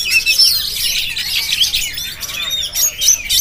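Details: Jampang-type Oriental magpie-robin recorded with a GoPro, delivering a dense, fast stream of bright whistled and twittering notes without pause.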